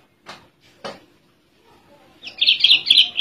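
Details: A captive spotted Oriental skylark (Alauda gulgula), sitting relaxed, sings a fast, continuous run of high, bright chirps and trills, preceded by two soft knocks.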